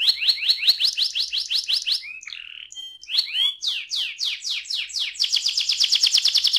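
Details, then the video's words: Canary ngerol song played to encourage other canaries to sing: quick repeated chip-like notes, a brief lower warble, then descending swept notes and a dense bright trill at the end. "KENARI NGEROL AMPUH BUAT PANCINGAN KENARI"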